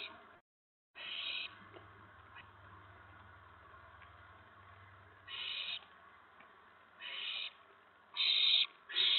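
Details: Owls at a nest on the evening of April 19, 2017, around 8 PM, as the adults bring food to the owlets. Scattered harsh, hissing screech bursts, about six, sit over a low steady hum and faint background noise.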